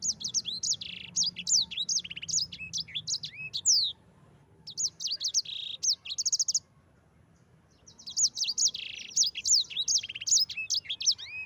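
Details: Yellow-fronted canary song serving as a master recording for other birds; long rolling phrases of rapid, high, buzzy chirps and whistles, broken by two short pauses.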